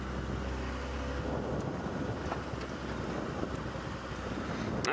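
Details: Steady low engine rumble with wind noise and faint talking in the background; no animal calls heard.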